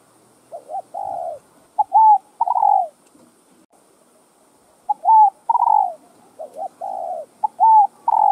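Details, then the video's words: Spotted dove (chim cu gáy, cu đất) cooing to rouse caged birds: repeated three-note phrases with a brief lead-in, a clipped hooked middle coo and a drawn-out falling final coo, given roughly three times in eight seconds, with no other sounds. "CHIM CU GÁY Giọng Hấp Dẫn ĐỦ BÀI [GÁY GỌI,THÚC,GÙ ]"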